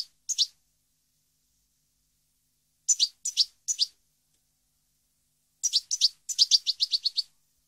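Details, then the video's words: European goldfinch song in 2015: brief clusters of high, dry twittering chirps separated by silent gaps, ending in a quicker run of about eight rapid notes. "Goldfinch song 2015/ Canto Jilguero Parva 2015"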